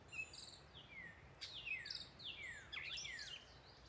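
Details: At dusk in woodland at the Wescott Preserve, Hunterdon County, New Jersey, a Northern mockingbird sings a run of high, fast downslurred notes repeated several times, mixed with buzzy high phrases over a faint steady hiss.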